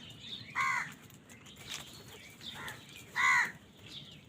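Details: Crows squabbling over food give two sharp, harsh caws about two and a half seconds apart. Softer caws sound between them over a noisy background.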